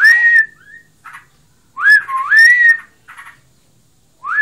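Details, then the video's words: Pet sooty-headed bulbul in breeding condition, singing intensely; loud, clear whistled phrases that slur upward and then level off, delivered in bursts with short pauses, with a few softer, rougher notes in the gaps. "Burungku birahi. Ngebren abiss."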